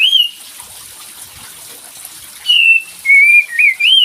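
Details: Olive-winged bulbul lure to prompt a silent bird into answering: a short falling whistle, a pause, then a run of four quick slurred whistles, some rising and some falling, with constant background hiss.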